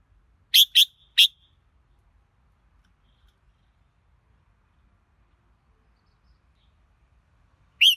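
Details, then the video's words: Three quick, sharp whistled chips from a red-whiskered bulbul in rapid succession, then a long pause before a single bending whistle at the end. "Chào Mào Hót Hay Nhất"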